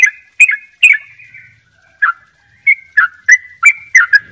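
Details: Fluty trills from a Bali sooty-headed bulbul in double ropel style. A few clear whistled notes, a short gap, then a quickening string of bubbly chirps.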